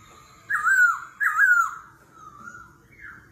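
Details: Laughingthrush singing in the forest-voice style during competitive singing, changing voice continuously, 'kéo thuốc lào' style: two loud looping whistled phrases, then softer sliding notes and a final rising whistle.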